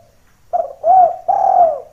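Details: Spotted dove in prolific calling form, used as a lure whose rival-like voice draws other doves down: three low mellow coos, the first short, the next two longer and drawn out, after a brief silence.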